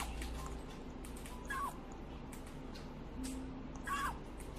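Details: Hand-fed baby grey parrot whimpering as it takes pellets one by one outside its cage; two separate drawn-out, falling whines a couple of seconds apart over steady room hum.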